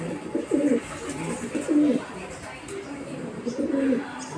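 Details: Pigeons quarrelling over food: three clear, deep, rolling coos about a second apart, each a short throaty bubbling phrase, over soft rustling and scuffling in the background.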